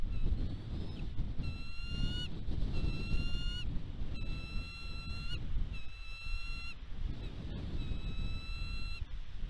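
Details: Wild bald eagle pair at the West End nest on Catalina Island, California, USA, 29 March 2022, calling during food deliveries of a bird and fish. Thin, high whistled notes with a slight upward bend come in repeated bursts over heavy wind rumble.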